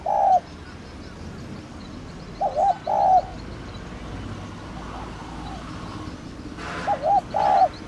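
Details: Calling coos of a thổ đồng spotted dove, meant to prompt caged doves to answer. Short mid-pitched coo phrases repeat every few seconds, each a pair of wavering notes, with faint hiss and a brief rustle near the end.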